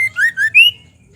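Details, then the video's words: Brief ketrekan of a female white-rumped shama, used to get males singing: three loud rising whistled notes in quick succession. "Murai betina | ketrekan murai batu | suara murai batu betina gacor"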